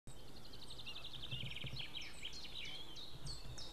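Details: White-tailed eagles recorded 6 May 2016 at 18:31, male away and female at the nest, perhaps reacting to a stranger in the sky: a rapid series of high, stacked yelping notes over steady low background rumble.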